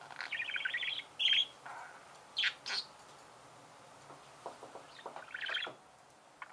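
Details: Budgerigar chirping softly: a fast twittering chatter at first, then a few sharp high squeaks and scattered clicks, with a final brief buzzy warble amid quiet stretches.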